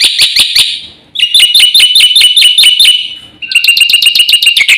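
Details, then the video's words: Black-winged myna giving a burst of 'gacor' song with 'isian' fill-ins: three sharp clipped notes, then quick strings of shrill buzzy chatter with a rising tone, each run lasting about two seconds. "suara jalak putih GACOR FULL ISIAN"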